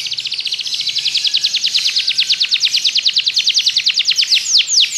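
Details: Belgian canary in canary song training, producing a long even trill of sharp descending notes that slows slightly toward the end.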